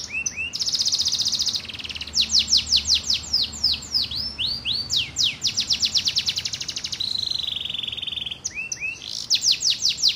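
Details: Canary singing a long varied song: a steady buzzy note, then fast series of sharply downslurred whistles, a sustained flat trill, and more rapid rising-falling notes, bright and continuous.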